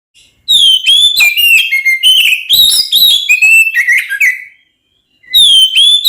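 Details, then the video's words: Oriental magpie-robin (kacer) in energetic fighting song used as a lure to provoke rival magpie-robins: loud clear whistled phrases, sliding and warbling, with a brief pause before a fresh bright whistled burst. "SUARA BURUNG kacer gacor NGEPLONG TARUNG konslet ini paling AMPUH buat PANCINGAN KACER agar EMOSI"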